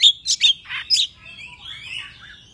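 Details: Oriental magpie-robin singing in the morning. Sound is used as a lure to excite other magpie-robins. Several loud, sharp whistled and chattering notes in the first second, then a softer, rambling warble trailing off.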